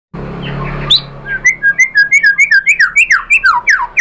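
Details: White-rumped shama song used as a lure to provoke other shamas to sing: after a low hum, a fast run of short whistled notes repeated about three per second, dipping and rising between mid and high pitch.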